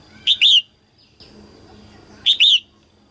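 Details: Female red-whiskered bulbul, early-season 2022 singing to stimulate males. Two loud two-note whistled phrases about two seconds apart, with a faint high slurred whistle and a soft hum between them.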